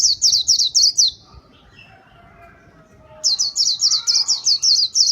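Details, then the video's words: Lure-song of a white-eye: a quick run of high, piercing slurred chirps, a brief pause with faint distant whistles, then an even longer rapid sequence of near-identical notes. "Kicau pleci gacor paling ampuh buat pikat"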